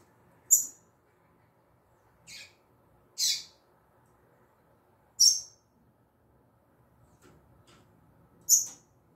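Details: Female double-collared seedeater (coleiro tui tui) uttering isolated short, high, sharp notes at irregular intervals of one to three seconds, with quiet surroundings between them.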